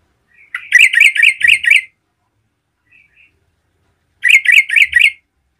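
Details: Energetic yellow-vented bulbul song aimed at stirring other bulbuls: a rapid run of five or six loud, identical ringing notes, a pause, then a second run of about four.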